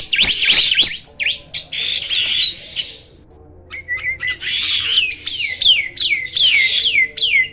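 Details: A Black-winged starling, said to be uncommon in the wild, pours out loud rising and falling whistles and scratchy chatter, pauses briefly, then resumes with repeated downward-sweeping whistled notes.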